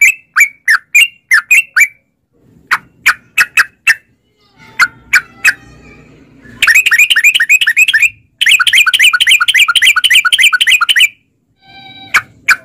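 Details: Sooty-headed bulbul lure for caged birds in the long 'ropel' rattling style. Scattered single chirps come first, then two dense bursts of fast repeated notes lasting about two seconds each, then a few last calls.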